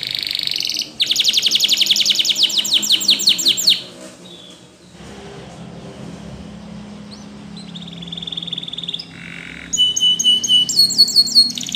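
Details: Spanish Timbrado canary song, used for training other canaries to sing: a rapid, high, metallic trill of evenly spaced notes lasting several seconds, then near quiet. Softer trills and bright repeated chips follow later over faint background noise.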